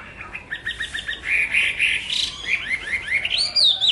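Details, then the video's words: Chinese hwamei singing energetically: quick repeated chirping notes leading into loud, rich warbled whistles, a series of rising slurred notes and a final high sweeping whistle. "tiếng hót hay nhất của chim họa mi phần 2 | The beautiful song of the nightingale part 2"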